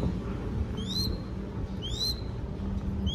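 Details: Captive crested goshawk chick in Cambodia, being fed, gives thin, high rising squeals about once a second over steady low rumbling background noise.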